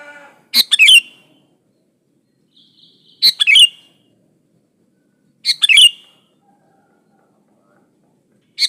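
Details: Sooty-headed bulbul song used to lure other bulbuls into singing; brief, bright chirped phrases of a few tumbling notes, repeated about every two and a half seconds with quiet gaps.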